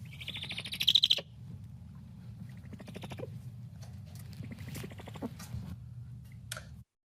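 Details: Great horned owl giving its less familiar chirping call rather than its usual hoot: a harsh, high chirping squeal lasting about a second, then fainter scratchy high notes over a steady low hum.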